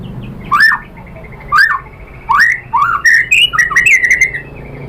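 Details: White-rumped shama song for provoking other birds: well-spaced upslurred whistles, then a quickening cluster of varied chirps and slurred phrases.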